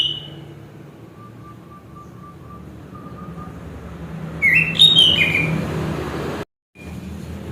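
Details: Song of a chestnut-capped thrush: a faint thin whistle early, then a dense burst of bright, fluty twisting notes, over constant low background hum with a brief dropout.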